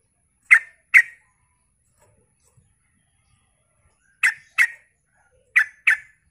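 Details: Active Sooty-headed bulbul played as a lure to get other bulbuls to respond: three evenly spaced pairs of short, sharp, chirping notes separated by long silent gaps.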